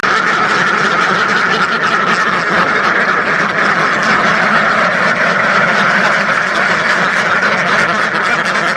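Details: Thousands of ducks in one flock, their quacks merging into a constant roaring chorus of rough, nasal calls that never lets up.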